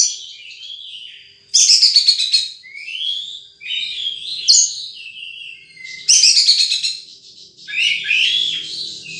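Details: High-pitched twittering from a wild sunbird, bursts of rapid buzzy notes alternating with thinner whistled chirps and quiet gaps between phrases.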